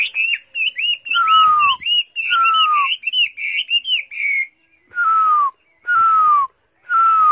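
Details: Tamed, caged Chinese hwamei singing strongly: looping whistled notes repeated in a quick run, mixed with clear falling whistles about once a second, then pauses between the descending phrases.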